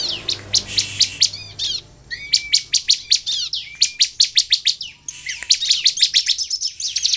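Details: Bar-winged prinia in sustained song used to draw other prinias into singing: rapid high-pitched chips and trills in tight runs, with occasional thin rising whistles between phrases.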